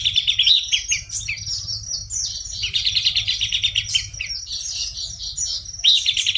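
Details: Buff-breasted babbler singing continuously for over six seconds, a lively jumble of high whistles, quick buzzy trills and chattering runs in repeated bursts, over a faint low hum.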